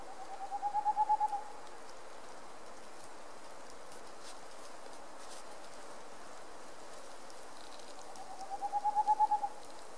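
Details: Boreal owl in Puszcza Sandomierska giving two quick bursts of hollow hoots, each run of about eight notes lasting around a second and swelling in loudness, separated by a long quiet pause with faint background hiss.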